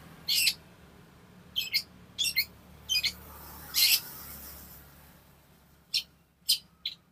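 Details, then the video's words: Long-tailed shrike performing harsh song as a master for training caged songbirds and provoking them: loud rasping, squawk-like notes, often in pairs, separated by short gaps, with a faint hum behind. "CENDET GACOR UNTUK MASTERAN dan PANCINGAN"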